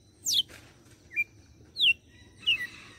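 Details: Red-cowled cardinal from Fortaleza, Ceará, Brazil, singing açoite notes: a high steeply falling whistle, a short upslur, then further descending slurred whistles, each note well separated.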